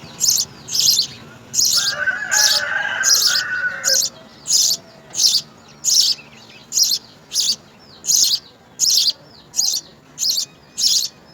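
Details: House sparrow nestlings fed insects beg with about seventeen evenly spaced, piercing high chirps, joined briefly by a lower warbling sound early on.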